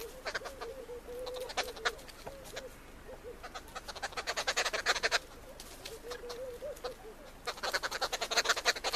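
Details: Arrow-marked babbler eating at a campsite: loud bursts of harsh, rapid chattering notes in fast runs, pausing and starting again, over a low wavering cooing from another bird in the background.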